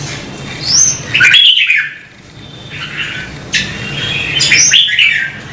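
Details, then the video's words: Red-whiskered bulbul urged into song, giving a sliding high whistle and then a warbled phrase, a short pause, then more whistled and warbling notes, with a low hum beneath. "CHÀO MÀO | Kích chim nhạy hót - Thúc chim hót hay căng lửa"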